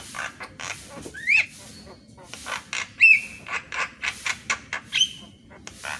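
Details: Javan myna singing in the morning, a recording meant to train reluctant mynas: rapid dry clicks and rasping notes mixed with short upslurred whistles and one long flat whistle, loud bursts spaced irregularly.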